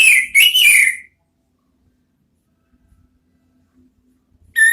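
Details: Ngeriwik-style song of an orange-headed thrush, meant as a lure to trigger the ngeplong sound: one short, bright, wavering whistled phrase, then silence before a new phrase begins at the very end.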